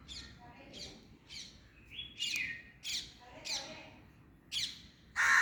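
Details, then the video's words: Crow uttering a rapid series of short, rough, clipped notes about every half second, ending in a loud harsh caw, with a brief whistled tone near the middle. "Funny crow sound"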